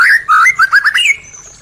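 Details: Short white-rumped shama phrase meant to stimulate caged birds that stopped singing: loud, rich whistled notes sliding up and down in quick succession, ending in a thin fading high note.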